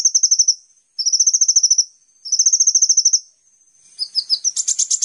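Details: Sunbird known as Kolibri ninja, from a master recording for training songbirds, repeating three thin, rapid high trills about a second long each, followed by a harsher, jumbled twittering.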